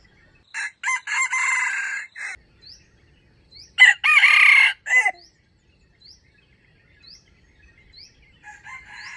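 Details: Wild chicken used for trapping gives a standard crow, recorded 05/07/2025: loud harsh harmonic bursts break into two crowing phrases, with a long rasping middle section, while a thin rising chirp from another bird repeats roughly every second.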